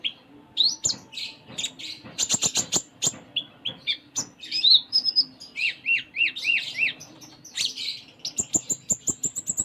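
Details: Sunda minivet (konin) in varied 'full isian' song: sharp ticking clicks, high whistles, then a run of five identical rising-falling notes, ending in a fast high trill.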